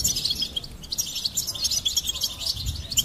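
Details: A goldfinch in full song, a fast unbroken stream of sparkling high chirps and twittering trills, with a gentle low hum behind it.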